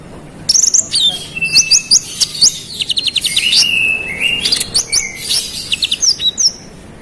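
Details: Olive-backed sunbird (konin) singing vigorously in a sustained roll of sharp high notes, meant to provoke rival males: rapid high chirps, thin downslurred whistles and flat sustained whistled notes, dense and continuous for about six seconds.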